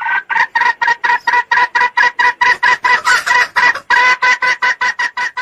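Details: Red junglefowl call used as a lure to trap males: a steady run of about a dozen loud, harsh clucking notes, roughly two per second, each rich and nasal with stacked overtones.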